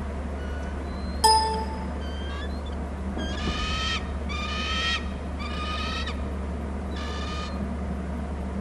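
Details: Bald eagles calling between the nest and the territory, caught on a Hornby Island nest camera: four bursts of rapid, piping, chattering notes, each about half a second long, over a constant low hum, with a single sharp click before them.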